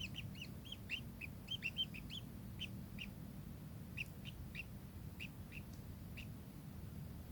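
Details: Brisk chirps from a kingfisher, clustered at first, then spaced more widely, over a steady low hum.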